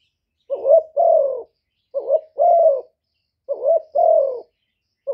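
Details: Gáy gù song of a spotted dove kept as a decoy for stirring up other doves. Three full two-part phrases and the start of a fourth: a short wobbling note, then a longer mellow falling coo. Otherwise quiet.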